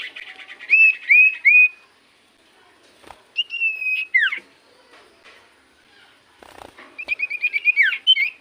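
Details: Common iora singing as a lure for other birds to reply: clear looping whistles, a long steady whistled note with a sharp drop, then a fast series of repeated notes, with quiet gaps between.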